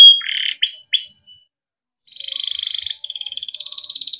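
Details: Timbrado canary singing for training: a few swooping chirps, a pause, then an even buzzy trill followed by a higher rolling trill, clear and isolated.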